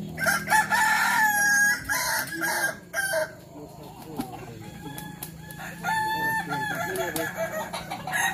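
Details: Kukuak Balenggek roosters at a practice crowing contest in Sawah Lunto: long, stepped, harmonic crows in bursts during the first three seconds and again near the end, with quieter stretches of crowd murmur and background noise between.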